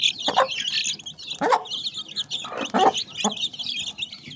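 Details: Short mid-pitched clucks from mini chickens spaced roughly a second apart, nearly buried under busy, continuous high twittering from small birds.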